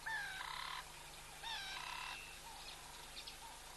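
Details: Verreaux's eagle (black eagle) at a new nest, 6 March: two loud, harsh, harmonic calls about half a second long, the second one slightly longer, followed by fainter short notes against a steady background hiss.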